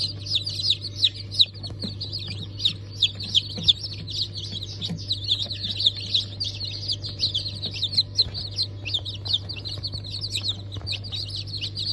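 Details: Newly hatched chicken chicks of Brahma, Sultan, Sussex and Wyandotte breeds, from a hatch dated 28 January 2024, peep together in a dense, continuous chorus of high, short descending cheeps over a steady low machine hum.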